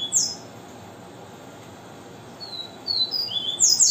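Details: Loud, high whistled notes from a coleiro (double-collared seedeater) in viviti song: a sharp opening note, a quiet pause, then a quick run of bright slurred whistles building to the end.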